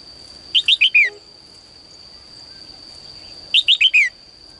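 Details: Caged female bird singing in the morning, a song said to call males into singing more; two short phrases about three seconds apart, each four quick high chirps stepping downward, over a steady thin high whine.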